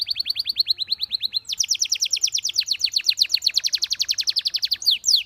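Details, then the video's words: Belgian canary song meant to train canaries: a steady rapid series of falling whistled notes that shifts into a brighter, quicker trill and ends with a few sweeping slurs. "Belgian Canary Singing That Boosts Canary Confidence"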